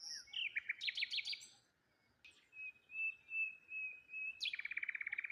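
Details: Birds chirping in the morning by the water near a lone tree: a descending series of quick notes, a long level whistle, a few clear chirps, then a fast even trill of rapid repeated notes.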